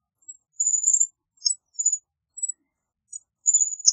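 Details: American bushtit giving faint, very high thin tsit and see notes, scattered and irregular, with a short twittering burst at the end; quiet background.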